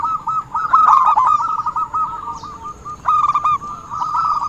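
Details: Lure call of zebra dove for trapping: rapid rolling coos in bursts, loudest near the first second, a short lull before the three-second mark, then the quick coos resume to the end.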